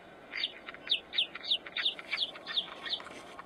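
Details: Chukar partridge, male and female, calling; a steady series of about eight harsh, clipped notes repeated roughly three times per second, slightly rising in loudness mid-series, over a constant background hiss.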